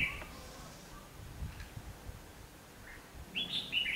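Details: Red-whiskered bulbul decoy calling during trapping on 19 November 2015: a quick whistled note, a soft isolated chirp, then a lively run of bright warbling phrases at the end, over low background rumble.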